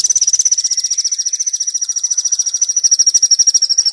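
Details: Kolibri Wulung sunbird song used as a training and luring recording: a fast, even trill of sharp high notes, about three per second, holding steady at a piercing pitch throughout.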